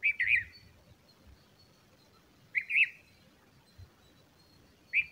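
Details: Bulbul feeding chicks: three clear, wavering chirps repeated roughly every two and a half seconds, each a quick up-and-down warble, with faint low thumps and a quiet background between them.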